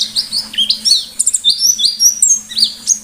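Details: Pleci white-eye singing loudly in the ngalas style: quick high chirps and short slurred whistles, roughly two every second, uneven in rhythm, over a low constant hum.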